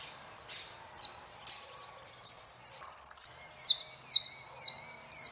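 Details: Saffron finch song: bright, high chip notes in quick pairs and triplets, a short accelerating rattle in the middle, then more spaced, emphatic downslurred chirps.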